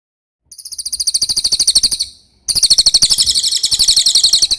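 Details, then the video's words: Cililin singing on a clear recording meant to train songbirds: two bursts of high, rapidly pulsed trilling separated by a short pause, the first swelling in loudness, the second starting at full strength. "MASTERAN CILILIN SUARA JERNIH"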